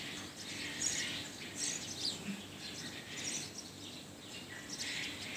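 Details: Around noon on the tenth floor of a Motijheel office block, a budgerigar keeps up continuous high, rasping warbles and twitters, with a low hum underneath.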